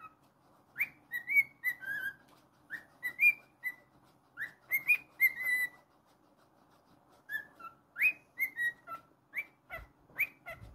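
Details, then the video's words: Pet cockatiel singing indoors: a run of bright whistled notes, each sliding up then down, delivered in short phrases with pauses of about a second between bursts, some clicks near the end. "Monty The Naughty Cockatiel's weekly moments"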